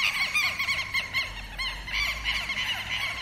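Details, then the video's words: A Southern lapwing alarm against predators: shrill, harsh notes repeated about three times a second in irregular runs, partly overlapping, with a low hum in the background. "QUERO-QUERO🎶 CANTO DE ALERTA -CONTRA PREDADORES"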